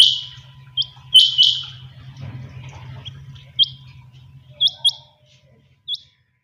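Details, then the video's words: Kept quail calling in the morning: a strong high double note opens, followed by softer single and paired chips that fade away, over a low steady hum. "Suba ky waqat chinga batair ki awaz/morning sound of Quail bird"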